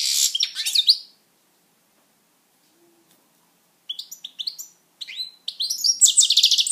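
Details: Pet goldfinch singing: a loud burst of high, tinkling notes, a long silence, then resumed song building into rapid, buzzy twittering and slurred chirps.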